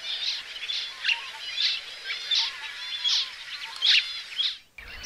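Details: Zebra finch singing a lively run of short, buzzy, nasal notes and chirps, repeated about once or twice a second in an uneven rhythm, all high-pitched, with a brief break near the end and soft background hiss.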